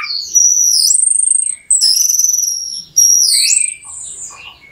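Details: Orange-headed thrush lure song for making a bird sing: long, high, clear whistled notes that sweep upward, repeated in three drawn-out phrases, slightly pulsing, with softer notes after.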